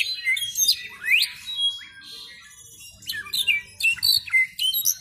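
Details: Young Brown-backed solitaire tuning its varied song, a jumble of high fluty whistles, rising glides and clipped chirps in loose phrases, quieter for a second before bursts of rapid, scattered notes; faint low background hum.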